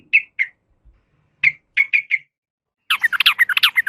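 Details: Female yellow-vented bulbul calling to a male: short chirped notes near the same pitch, given singly and in a quick group of three, then a denser burst of overlapping chirps at the end.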